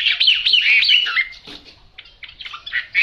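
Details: Chinese hwamei, yellow-billed and yellow-legged, delivering a loud whistled song: a quick run of repeated upslurred whistles, a brief pause, then softer chattering notes ending in a strong clear whistle.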